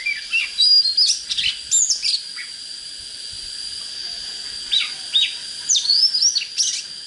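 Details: Oriental magpie-robin singing, a recording used to fire up birds for fighting: bursts of sweet whistled phrases with sharp upward slurs, a quiet pause midway, then more rising whistles, against a constant high-pitched drone.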